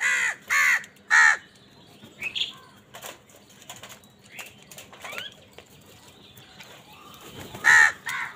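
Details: Harsh caws from crows fighting for food, three loud calls at the start and two near the end, with quieter bird chirps and brief rustling between them.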